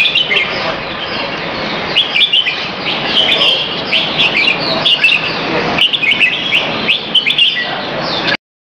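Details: Red-whiskered bulbul kept in a cage, being exercised in a bird arena at Serangoon North Ave 1 on an afternoon in February 2017: a dense run of lively, warbling chirps and trills repeated almost continuously over a hissing background.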